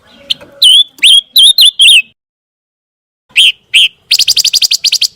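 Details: Scarlet minivet sound used to train a competition white-rumped shama: a run of five loud, slurred whistled notes, each sweeping up then down, then a pause, two more whistles and a fast stuttering chatter.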